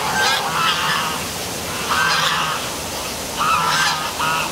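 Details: Nighttime geese by a city waterfall in Milford, Connecticut, giving about three loud, harsh honk bursts spaced a second or more apart, set against continuous hissing water noise.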